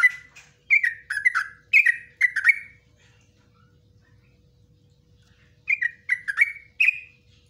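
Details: Yellow-vented bulbul in long ropelan song for training other bulbuls. A run of rapid bubbling, downslurred notes lasts about two seconds, a long pause follows, then another short burst of four chirpy notes.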